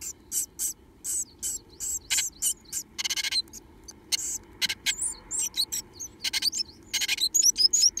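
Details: Pair of remaining Japanese tit chicks inside a nest box, begging eagerly for food: a steady stream of high, sibilant cheeps about four per second, swelling into longer buzzy rasps and thin rising squeaks near the end.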